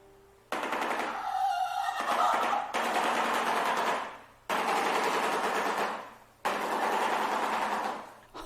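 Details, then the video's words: A male shoebill clatters its bill to impress a female during mating, in long, rapid, hollow rattling bursts of about two seconds each, eerily like machine-gun fire. "during mating when a male sees a female to impress her he creates a sound that is eerily similar to a machine gun [Applause] holy"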